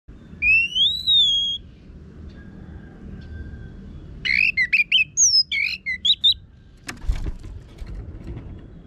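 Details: Orange-headed thrush song played to train birds to sing, in a harsh, coarse style: a long wavering whistle, a pause, then a rapid run of varied rising and falling whistled notes, followed by a brief click.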